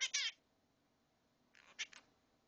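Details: A pet monk (quaker) parakeet talks in a harsh, scratchy voice: two quick syllables, a pause, then a few more clipped bursts; the owner says it is "I'll be a good birdie till mommy and daddy get home".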